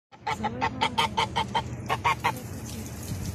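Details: Goose in a paddy field in Taitung, Taiwan, giving a rapid run of short nasal honks, about five per second, with a pause before a final burst of three; a steady low hum underneath.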